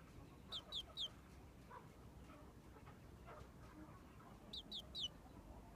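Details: Frizzled Pekin bantam chick, red mille fleur porcelain colour, a month and a half old: quick groups of three thin, high, downward-sliding peeps, one group at the start and one near the end, over quiet background hiss.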